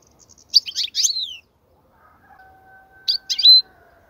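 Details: Goldfinch song for training young birds: two short bursts of bright chirping notes with downward slurs, separated by quiet, with a faint steady hum in the background.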